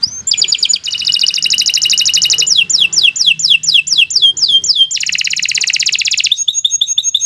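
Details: Energetic canary song for tutoring: loud rolling high trills, then a series of sharp descending whistled notes, another fast dense buzzing trill, and a closing run of quick chirps.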